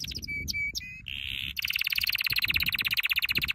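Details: Canary singing a training song. It opens with a few short sharp whistled notes and a brief buzzy burst, then breaks into a fast, even, rolling trill that carries on to the end.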